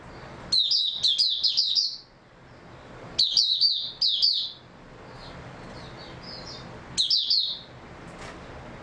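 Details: A white-eye, known locally as mata puteh, recorded 3 March 2022, gives three bursts of high twittering song a few seconds apart, with soft faint notes between them.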